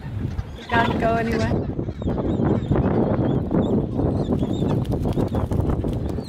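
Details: On the Antarctic Peninsula, gentoo penguin chicks pursue their parents for food: one loud, braying, richly harmonic call lasting under a second, then a noisy windy background with faint thin calls.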